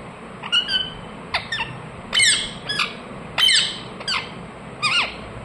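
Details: Chirping ring-necked parakeet kept at home: seven shrill, scratchy squawks at uneven intervals, some sliding down in pitch, others clipped short.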